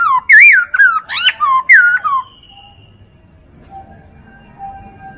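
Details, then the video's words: Chinese hwamei song for training other birds: a quick burst of loud looping whistles lasting about two seconds, then a faint drawn-out tone and near quiet. "MASTERAN POKSAY HONGKONG"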